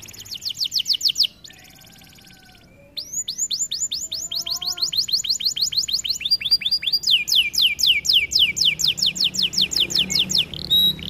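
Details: Canary training song with a fast high trill, a pause holding soft lower warbled whistles, then long runs of rapid sweeping notes that change speed and pitch in turn.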